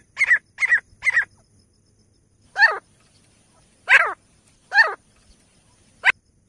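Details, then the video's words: Grey francolin (teetar), male and female, from Pakistan, played to bring francolins close: a quick triplet of harsh ringing notes, then single rasping descending notes spaced about a second apart. "best teetar ki awaaz ko bajaen aur mento mein teetar paye jaldi se aate Hai Nar madi teetar es awaz"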